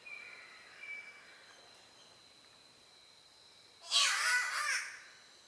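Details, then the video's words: Spotted catbird (Ailuroedus maculosus) in Australia, its call likened to a cat's meow or yowl. After a quiet stretch with faint thin whistles, one loud, harsh, wavering yowl lasts about a second. "The weird sounds of Catbirds"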